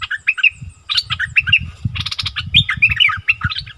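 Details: Striated bulbul, wild birds arguing very fiercely, recorded 8 February 2021: loud continuous chatter of rapid whistles, slurred notes and trills over steady low rumbling background noise.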